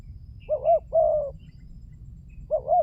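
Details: Spotted dove cooing as a lure: a wavering double note and a long husky coo, then a pause before another wavering note begins; faint high chirps from another bird and soft low rumble behind.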